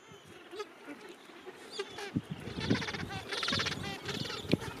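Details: Gentoo penguin breeding colony late in summer, with thousands of birds; nasal bleating and harsh trumpeting calls overlap, building into a loud, pulsing braying chorus in the second half over steady colony noise.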